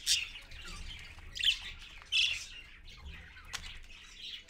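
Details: Parakeet adult with young on a live camera, dated 4.1.15 at 6:20 AM: a few sharp, loud shrieks and rasping squawks with quieter chatter between them.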